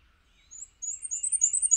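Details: High-pitched squeaky Black-and-white Warbler song, the bird moving between perches, recorded on a Canon 7D: a short thin note, a pause, then a fast run of wee-see pairs rising in loudness, light low rumble behind.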